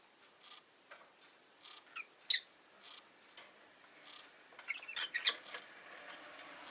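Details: Rosy-faced lovebird giving sharp, high chirps and squeaky notes at irregular intervals, with a loud shriek midway and busier chatter toward the end, over city noise of cars, motorbikes and bicycles.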